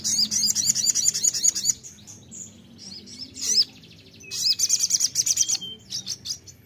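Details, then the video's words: A sogon sings two bursts of rapid, high, sharp chirps in a bright ringing trill with brief pauses between phrases, a sound used to lure a pet sogon into singing quickly. "pancingan sogon suara seperti ini bikin sogon anda cepat Nembak"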